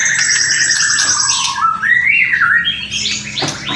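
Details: White-rumped shama song with kretekan and whistling: a long whistled phrase of sustained, gliding notes that climbs and falls in pitch, ending in a few sharp, higher, chattering notes.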